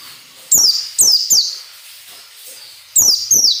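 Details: Sharp, bright white-eye notes in the 'ngalas nembak' style, used to train captive birds: three quick downward-slurred whistles, a short pause, then two more, all high-pitched and loud.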